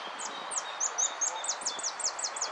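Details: European goldfinch in a singing contest, placed fifth in the 'blanco de repique' category, dated 12 02 12: a rapid series of high, clear, downslurred whistled notes, about six per second, over steady background hiss.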